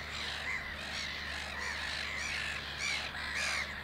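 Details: Black-headed gulls at Lake Hornborga (Hornborgasjön), Sweden, during nest building, while one preens and rests, give harsh, rasping squawks, several overlapping about twice a second, over a low steady hum.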